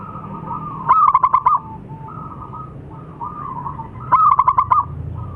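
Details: Local zebra dove, a very vocal bird, calling twice: a soft hollow coo opens each phrase, then comes a quick staccato run of bright cooing notes, over a steady low rumble.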